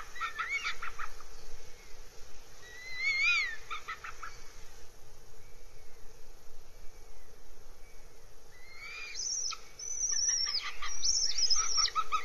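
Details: Northern goshawk at a nest in RSPB Abernethy Forest, Scotland, 3 July 2022, gives harsh, slurred wailing calls in rapid bursts, pausing quietly midway before calling again more loudly, over a steady low background hum.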